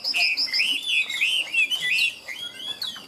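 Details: Chinese hwamei with a five-part song style, singing high and loud: a fast run of clear whistled phrases sliding up and down, rich and varied, some notes looping and trilled, continuous throughout with little pause.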